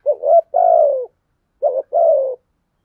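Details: Spotted dove decoy cooing to draw responses from wild doves: two phrases, each a rising, bubbling double note followed by a long, steady, slightly falling low coo, in a quiet setting.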